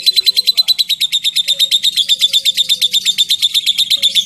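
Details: Lovebird trilling in the long ngekek style with ticking notes, meant to prompt answers: a dense train of quick, high, chattering pulses running evenly for the whole stretch over faint background hum.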